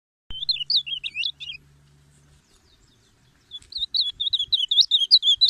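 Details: Ultramarine grosbeak song, recorded for teaching and calling birds: a fast warbled run of looping whistled notes, a pause of about two seconds, then another lively twittering phrase.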